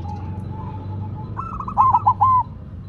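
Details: Zebra dove of silver colour placed on the ground, singing one quick rolling phrase of three or four bubbling coo notes after a low steady hum.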